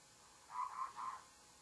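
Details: Babbler calling in the morning: three harsh, nasal notes in quick succession, soft against a quiet background.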